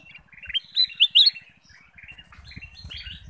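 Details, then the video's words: Ruby-throated bulbul song played as a lure to get other birds singing: a quick jumble of bright chirps and short whistled slurs, loudest around the middle, over soft low thumping in the background. "pancingan kutilang emas"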